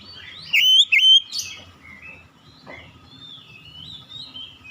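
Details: Magpie-robin giving two loud, bright whistled notes close together, followed by soft, drawn-out whistles in the background.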